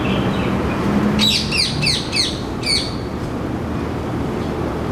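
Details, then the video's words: A male rose-ringed parakeet, introduced but resident in Singapore, calls noisily from a Ceylon ironwood tree: a rapid series of about five shrill, harsh screeches, each sliding downward, over low traffic rumble. "Rose ringed parakeet - bird call"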